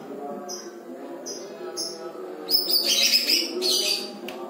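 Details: Greater green leafbird with lovebird-style song phrases: a few short, spaced high chirps lead into a dense, rapid chattering burst, then a lone sharp note, all over a steady low hum.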